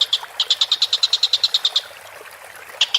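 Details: Collared kingfisher as used for masteran training, giving a burst of about fifteen sharp, staccato notes in quick succession, a pause, then two more notes starting again.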